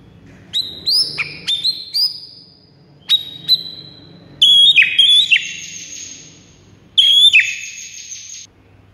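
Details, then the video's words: White-rumped shama song used as a lure to provoke rival birds into singing: loud sustained whistled notes near the top of the range, some sliding down sharply, in separated bursts with a faint low hum behind. "pikat Murai batu lawan yang MACET jadi NGAMUK"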